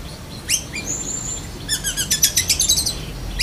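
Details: Black-breasted Oriental magpie-robin mimicking a lovebird's continuous chatter: a few rising whistles and a long thin whistle, then a fast run of sharp repeated notes, over steady low background noise.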